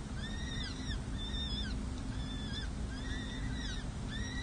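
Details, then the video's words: At a San Jose City Hall peregrine falcon nest in May 2024, adults feed four chicks six to seven days old. Sharp, down-curving notes come in quick pairs and clusters against a constant low rumble. "Hartley feeds 4 chicks 🐥🐥🐥🐥 Monty serenades 🎶"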